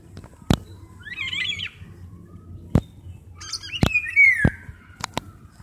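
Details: Golden oriole, one of a pair seen at a window, the male calling his mate and the female answering the same way from another side; a brief harsh chattering burst, then a loud descending fluty whistle, with sharp knocks throughout.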